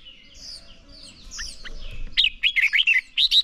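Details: Red-whiskered bulbul singing to provoke other birds into song: faint background twittering, then a rapid string of bright, looping whistled notes repeated about six times.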